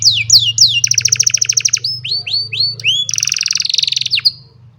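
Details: An old canary singing on a sunny morning, cellphone recording: repeated falling whistles, a rapid rattling trill, upward-curving notes and a fast buzzy trill, over a low background hum.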